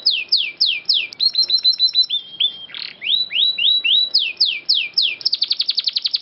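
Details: Canary master song used for training songbirds, said to include murai, cucak ijo and kacer notes: loud, clear whistled notes sweeping downward, repeated quickly in series, with a brief harsh note midway and a fast even trill at the end.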